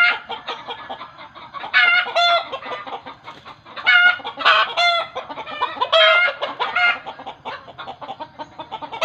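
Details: Chickens making a loud, harsh cackling outcry that village folk believe means the birds are seeing a ghost; ragged bursts of nasal, rasping squawks come irregularly, about every two seconds, with overlapping clucks between them.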